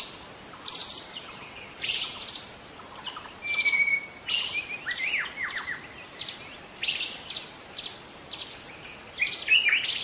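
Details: Wild white-rumped shama from the forest delivering repeated bursts of harsh, chattery notes mixed with a few clear whistles, phrases spaced roughly every second, over light background hiss.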